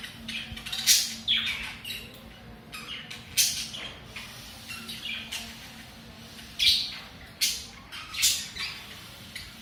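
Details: Budgerigars (pet parakeets) give harsh, scratchy squawks and chirps in uneven bursts while courting and mating.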